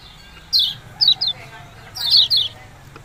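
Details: Two short bursts of high, down-slurred chirps, a single note then a pair, then a triple group, from a yellow-bellied prinia, "ciak-ciak jos" calling, over low steady hum.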